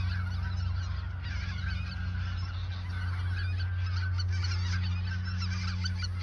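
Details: Flock of geese at the Ochsenmoor nature reserve, autumn 2022, days before heading south; a constant jumble of honking and yelping calls over a strong, steady low rumble.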